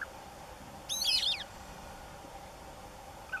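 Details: European bee-eaters at Valdesogo on 11 May 2013 give a brief burst of liquid, rolling trills, several overlapping, with a faint call near the end over a steady low hum.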